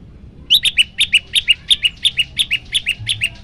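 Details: Yellow-bellied prinia song for provoking other birds: an even, rapid series of bright high chirps, roughly three a second, each note flicking up and down, over a quiet background.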